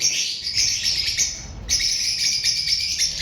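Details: Lovebirds filmed on 7 March 2025: a busy, high-pitched twittering of many overlapping chirps that breaks off briefly midway, then resumes just as dense and shrill.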